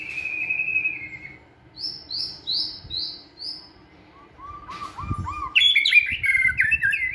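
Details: Caged white-rumped shama singing hard during training in a flight cage: a whistle, a row of five short falling high notes, a low warbling run, then a loud, fast, jumbled phrase, with soft knocks underneath.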